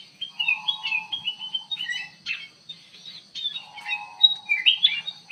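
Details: Bulbul (kutilang emas) singing in an aviary, its bubbling whistled phrases overlapping a lower, steady buzzy trill from another caller that sounds twice.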